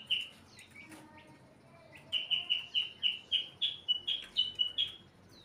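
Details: White-rumped shama in breeding condition, singing: a rapid series of about a dozen clear, slightly rising whistled notes around the same pitch, fairly evenly spaced, after a quieter opening of scattered chirps and short whistles.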